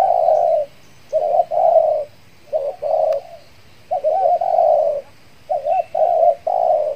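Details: Trained spotted dove lure from Kepri, finished moulting, calling for wild doves; clear, loud coo phrases in groups, long rough notes alternating with short curling ones, evenly spaced by one-second gaps.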